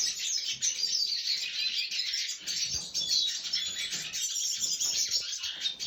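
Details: Red siskin song, 20 December 2023: fast, high-pitched chattering and squeaky twitters running without pause, with a few brief thin whistled notes woven through the busy warble.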